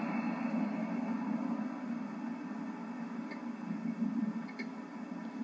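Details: A steady low hum fills the clip with a couple of faint clicks, and no clear animal voice can be picked out.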